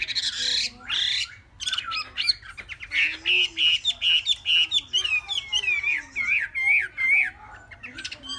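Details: Three-month-old Chinese hwamei singing a loud, varied run of slurred whistles, harsh squawky notes and quick repeated chirps, fairly high-pitched, over a low steady hum.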